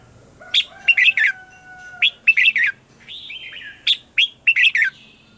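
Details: Red-whiskered bulbul singing in the morning, a lure recording meant to draw wild birds: short bursts of rich, rolling whistled notes in groups of two or three, with a thin steady tone underneath.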